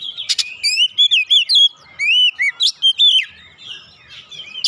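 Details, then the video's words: Oriental magpie-robin (kacer) fired up and unloading its 'isian', played to stir other birds into song: clear, loud whistled notes in short, evenly spaced bursts, rising and dipping glides mixed with sharp high clicks. "PANCINGAN Kacer langsung naik emosi ngotot bongkar isian"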